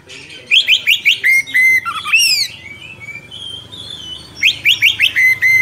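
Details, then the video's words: Energetic long rolling song of an Oriental magpie-robin, meant for tutoring young birds: rapid bursts of short rising whistles and a swooping note, a softer scratchy middle, then more rising notes over a low steady hum. "Kacer Gacor Ngerol Panjang"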